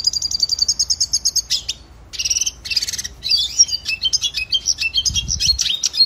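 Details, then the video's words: Red siskin, a South American finch called cardenalito in Venezuela, singing a training song: a fast high trill, buzzy harsh bursts, then lively twittering phrases with quick chirps and whistles. "Red Siskin Singing Training Song - Canto Pintassilgo venezuelano"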